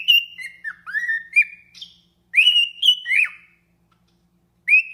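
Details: A captive cockatiel at a wildlife breeding facility whistles a bright, tuneful song of sliding and rising notes.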